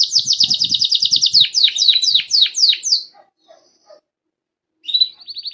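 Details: Grey Belgian canary singing: a rapid series of sharp descending chirps that slows into separate downward sweeps, a near-silent pause of almost two seconds, then a resumed quick trill.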